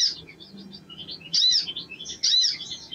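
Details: Sogon bird singing as a lure for other sogon birds: soft high twittering broken by two louder bursts of rapid, buzzy high notes.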